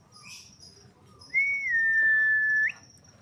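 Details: Young male white-rumped shama with a long tail: a single clear whistled note, held level for over a second after a slight rise, with a faint high tone and soft background hum.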